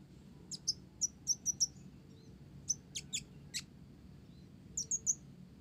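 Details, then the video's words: Olive-backed sunbird, blorok, in gacor song with Java sparrow (gelatik) fill: quieter, sparse thin high chirps in short clusters, a quick run of four ticks, then a pause before a final trio, over a noticeable low hum. "Konin Blorok Gacor isian Gelatik"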